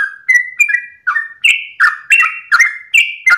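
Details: Ropel-style dawn song of a sooty-headed bulbul: a continuous string of short, clear, warbled notes stepping between higher and lower pitches, repeated roughly every third of a second, with no other sounds.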